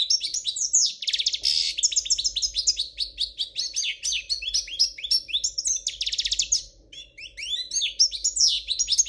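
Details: Royal Spanish-type goldfinch song, described as free of mistakes: dense, rapid twittering with buzzy rattles and bright bell-like notes pouring out without pause over a faint background hum.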